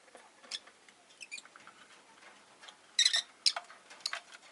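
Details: Soft, scratchy chatter from a group of five caged Rosy-faced lovebirds kept by a window in winter, broken by a couple of brighter, louder chirps near the end.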